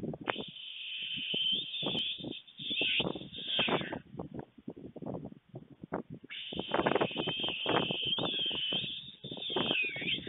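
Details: Feeding time at a white stork nest in Fohrde, Germany, 23 July 2019, just after midday: long stretches of high, harsh wheezing over dense irregular rattling pulses, pausing briefly midway before resuming loudly.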